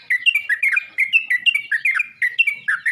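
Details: Yellow-vented bulbul calling other bulbuls, a brisk series of liquid, chirpy notes, about four or five per second, each note bending up or down.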